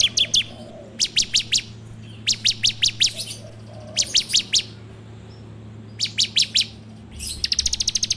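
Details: Bar-winged prinia, recorded on an Android phone as a training lure: short clusters of three to five sharp high notes repeated about once a second, then a fast rattle at the end.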